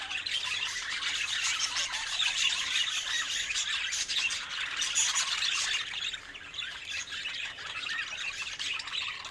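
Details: Budgerigars singing; a dense, continuous warbling chatter of high squeaks, chirps and scratchy notes, with several birds overlapping and no clear pause.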